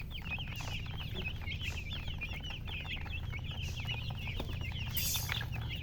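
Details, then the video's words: Chicks chirping rapidly, well over three peeps a second, a continuous high twittering chorus of curved notes, with a low hum and a short noisy burst near the end. "MURGI Baby "Chicks Chirping" Sound"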